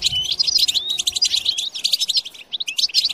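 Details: Goldfinch song meant to stir European goldfinches to sing and pair: quick, liquid twittering phrases with rising whistled slurs, one short gap, then renewed chatter.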